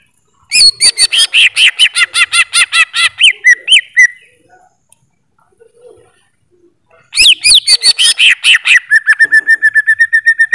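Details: Greater green leafbird song: long runs of rapid, loud chattering notes, about four per second, split by a silent pause and ending in a fast steady trill.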